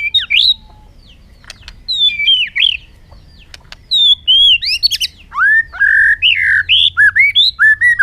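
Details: A bird sings in this 2021 recording, mixing sharp chips with rich looping whistles; phrases come in quick bursts, the later ones flowing into a lively series of rising and falling notes.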